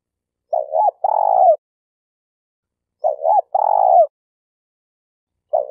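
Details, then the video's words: Malaysian spotted dove used as a trapping decoy, calling its low, soft coo phrase repeatedly: a quick two-part coo then a drawn-out purring note, repeated about every two and a half seconds, with silence between phrases. "Suara Burung Tekukur Denak"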